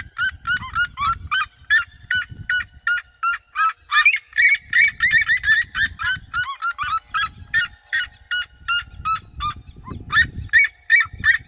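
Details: A flock of red-legged seriemas singing around the recordist in fields: long bout of loud, high yelping notes, fast and overlapping, intermittent low wind rumble.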